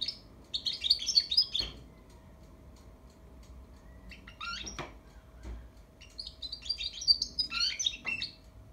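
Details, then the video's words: Young European goldfinch chick practising and arranging its song: two bursts of high, rapid twittering and chirps with a short buzzy note between them, separated by quiet pauses, over a faint steady hum. "فرخ يرتب التغريد"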